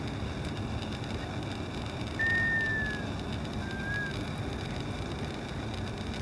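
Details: Black scoter displaying to a greater scaup at Richmond Marina, California, on November 26, 2012 gives two mellow, drawn-out whistles, each sliding slightly downward, about a second apart, over steady wind and surf.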